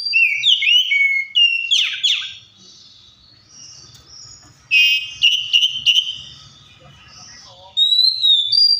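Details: Song of an Oriental magpie-robin, wild-sounding and used to make other birds sing: sharp whistled phrases and harsh downward sweeps at first, a quieter middle with faint low rumbling, then a strident whistled phrase and a final high note.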